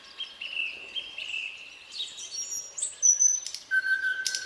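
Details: Summer-night nightingale song, varied and continuous: sliding whistles, short tweets, a high thin note, sharp broadband clicks and a sustained lower whistle near the end.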